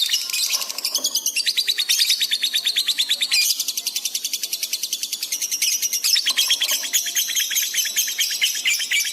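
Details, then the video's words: Lovebird singing gacor on a masteran recording made to train pet birds: continuous, rapid, shrill pulsed chatter that sweeps and wavers in pitch, pausing only briefly near the middle, with soft low whistles at times. "masteran love bird gacor cepat respon emosi memuncak"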